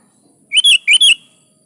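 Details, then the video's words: Sooty-headed bulbul singing actively to coax caged birds into answering, giving one brisk phrase of four bright, slurred whistles in two quick pairs, loud and slightly distorted against a quiet background. "SUARA BURUNG KUTILANG GACOR"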